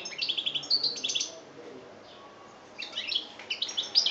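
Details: Algerian European goldfinch, 2013, delivering chbab-style song: short clusters of bright high twitters separated by a quiet gap of about a second, then another lively burst.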